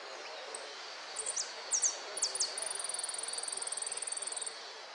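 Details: Hooded siskin song at a singing contest in Merlo, Argentina, 13 January 2013: a few very high, sharp sweeping notes, then a long, fast, even trill for about two seconds over a steady background hiss.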